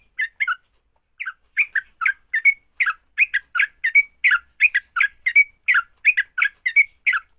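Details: Sooty-headed bulbul fighting song for prompting other bulbuls to sing: two quick notes, a short pause, then a lively, continuous run of chirpy slurred phrases with brief clear whistles mixed in.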